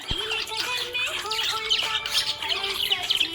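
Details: Happy budgie twittering in quick, high chirps and chatter, rising and dipping, while steady background music holds long notes.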